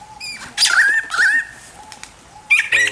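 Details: Australian lyrebird, a rare bird of Australia's gardens and forests known for copying sounds. Short bursts of wavering whistles and buzzy sliding notes, separated by quiet, soft tones between them and a harsh chatter at the end.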